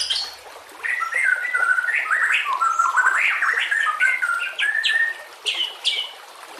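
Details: White-rumped shama training song over nature sounds with trickling water: a continuous run of mid-pitched whistled notes, slurred phrases and scratchy chatter, backed by a steady hiss of running water.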